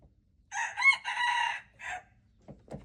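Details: Red junglefowl rooster, wild bird, February 26, 2025, giving a single four-part crow: two short notes, a drawn-out raspy phrase, then a brief falling ending, followed by faint rustling sounds.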